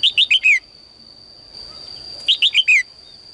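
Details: Morning song of a caged female bird calling males to sing more: two phrases of four sharp chirps, each ending in a falling slurred note, about two seconds apart, over a steady high tone and faint rustling.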